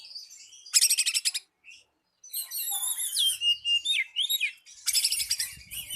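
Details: Oriental magpie-robin lure song for calling a rival: a loud rattling burst of high notes, a brief silence, then a long wavering whistle, rising slurs, and another rapid rattle.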